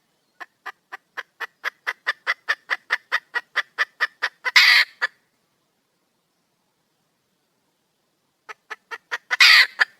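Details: Female red junglefowl calling for a male: an even series of short clucks, about four per second and growing louder, ends in a harsh, rasping squawk. After a silent pause the clucks start again and build to a second squawk.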